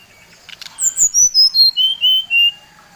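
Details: Bali brown-chested jungle flycatcher lure song for stirring up rivals: a single clean phrase of about eight whistled notes, starting very high and descending step by step to a lower steady close.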